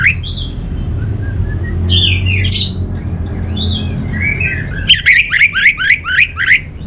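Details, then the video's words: Varied song of an orange-headed thrush: scattered whistled and buzzy phrases at different pitches, ending in a fast run of about seven sharp, repeated notes, with low hum beneath. "Suara ANIS MERAH Ini"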